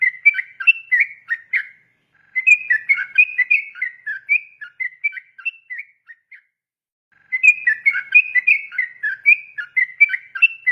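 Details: Yellow-vented bulbul singing a long, continuous song, used to train young birds: rapid bursts of whistled, warbling notes with clear breaks, sung in phrases of a few seconds separated by short pauses.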